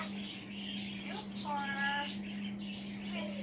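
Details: Pet African grey parrot on a chair, talking to himself: a speech-like vowel with rich stacked harmonics held about half a second between softer muttered inflections, a continuous low hum underneath.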